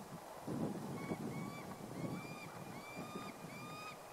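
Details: A courting male prairie falcon calls to its mate from far away at Red Rocks Park, Morrison, Colorado, on 12 March 2015. It gives a faint run of clear, drawn-out whining notes, about two a second, over low rumbling wind.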